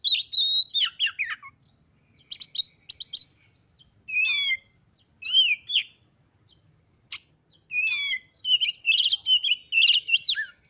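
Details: Female white-rumped shama, calls meant to provoke males: whistled notes and slurred descending phrases separated by pauses, ending in a burst of chirps.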